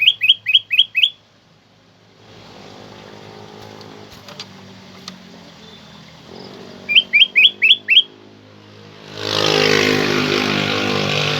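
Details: Loud, clear black-crested bulbul, played to stir pet bulbuls into song and as a lure: two bursts of five rapid, sharp, bright notes separated by a quiet pause, followed by a rush of broad noise.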